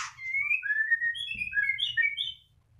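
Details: White-rumped shama (murai batu) kept as a cage bird, singing while moulting: a flowing run of clear whistled phrases rising gradually in pitch, over a low background rumble.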